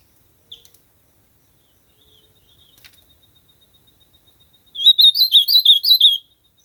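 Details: Ultramarine grosbeak singing in nature. Faint scattered ticks come first, then a loud, fast phrase of about seven slurred, whistled notes that rise and fall, lasting about one and a half seconds.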